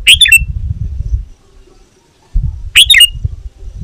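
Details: Calling Sooty-headed bulbul, a lure for wild birds and a model for caged ones: two bright chattering bursts of quick notes with a whistled ending, separated by a pause, with low rumbling noise between.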